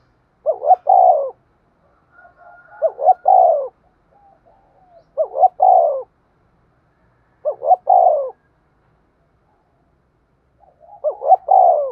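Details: Spotted dove lure bird calling to draw wild doves to a lime-stick trap: five repeated coo phrases about every two and a half seconds, each a double note then a longer descending coo, faint murmurs between.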